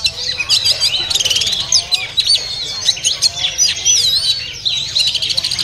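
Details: Bird market recording of a caged oriental magpie-robin in full song, with loud looping whistles, quick upslurs and buzzy chatter. The phrases are packed tightly, with faint background murmur.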